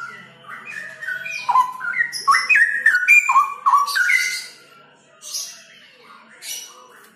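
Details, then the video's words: Mature mated pair of straw-headed bulbuls (cucak rowo) giving rich, bubbling whistled notes that jump between pitches in fast sequences of about four per second, then fading to softer, scattered notes. "CUCAK ROWO DEWASA JODOH"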